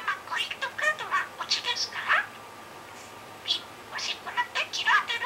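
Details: Talking pet budgerigar, recorded July 2016, practising a shop-clerk routine; high, scratchy speech-like chatter in quick clusters, a brief quiet gap midway, then more squeaky phrases with rising and falling inflections.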